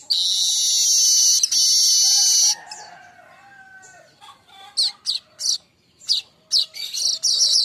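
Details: Streaked weaver (manyar kembang), young and singing steadily, recorded as a training song for songbirds: a long, loud sizzling hiss lasting over two seconds, then a softer pause and a run of sharp, high chips.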